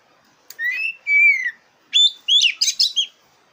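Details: Song of a black-breasted oriental magpie-robin, played to stir up competition birds: two drawn-out slurred whistles falling in pitch, then a rising whistle and a rapid string of loud, harsh, broadband notes.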